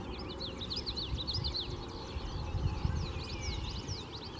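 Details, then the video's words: Male common yellowthroat in Michigan on 12 May, singing bright, rapid, slurred notes in a steady stream over a constant low rumble like distant traffic. "Common Yellowthroat"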